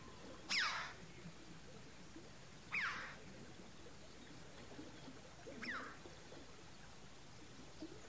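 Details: UK chough calling three times, each a short, harsh downward-slurred note roughly every two and a half seconds, with quiet outdoor background noise between calls.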